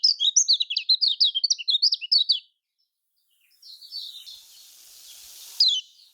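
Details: Lemon-bellied white-eye (kecial kuning), a Lombok-style voice used to draw quiet birds into singing: a rapid run of high, sharp, chirped notes for about two seconds. A pause follows, then faint hissing and a single brief bright note.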